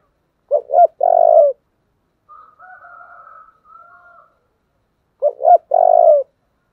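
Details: Spotted dove with a deep 'giọng thổ' voice, giving urging and calling coos: two short clipped notes followed by a long, strong, slightly falling coo, repeated twice. Fainter, higher drawn-out sounds fill the gap between the phrases.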